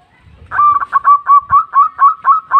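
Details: Lively local zebra dove calling to others: a crisp series of about ten staccato cooing notes at one steady pitch, evenly spaced and fairly loud, with a brief low thump at the start.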